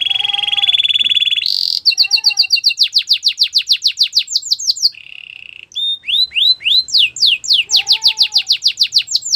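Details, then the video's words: Belgian canary song beginning with a smooth rolled trill, then a fast series of descending whistles, a brief buzzy roll, and more rapid falling notes. "Belgian canary singing"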